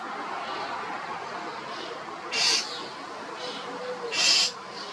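A common starling gives two short, harsh, high-pitched rasping calls about two seconds apart over a steady hiss of background noise.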